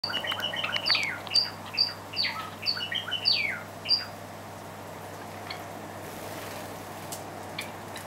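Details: A pair of white Java sparrows squabbles over hand-feeding food meant for their chicks, one pecking the other away while it eats: a run of harsh, squeaky chirps and squawks for about four seconds, then only faint room hiss.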